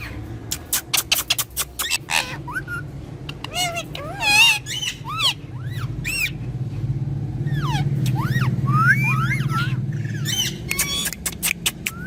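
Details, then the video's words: A pair of pet talking parrots give scattered rising and falling whistled, speech-like notes among sharp clicks, with a steady low hum underneath throughout. "Talking Parrot"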